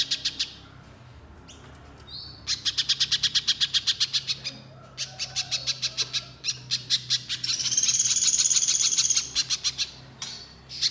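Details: Little spiderhunter delivering steady 'nembak' shooting-style song, recorded as a lure to trigger singing: long, dense strings of sharp, high chip notes running for seconds, with a thin, drawn-out high whistle overlapping near the end.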